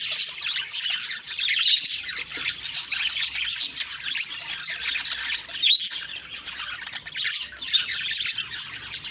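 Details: Morning budgies chattering as a flock: overlapping high twittering and short squawky notes pour out steadily, rising in bursts around the middle and end.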